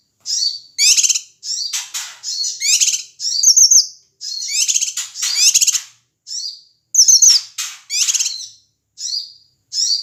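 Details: Noisy calling of a male Ashy tailorbird from Sumatra, played to stir up other birds: rapid high-pitched chirps, harsh rattles and quick whistled notes in dense bursts almost every half second, continuing without pause.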